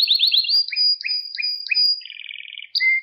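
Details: Canary singing for song training of young birds: a burst of rising notes, five evenly spaced two-part chirps, a soft rattling trill and a final clear whistle.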